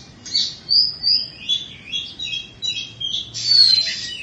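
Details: Oriental magpie-robin of Indonesian origin, kept caged and two seasons old, delivers short clear whistled phrases and chirps in quick succession, some rising and some falling, over a quiet background.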